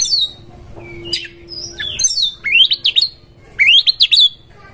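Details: Oriental magpie-robin singing as if seeking a rival to fight: a soft sustained low tone and scattered chirps, then repeated loud phrases of rising whistled upsweeps breaking into quick jagged notes, two bursts about a second apart.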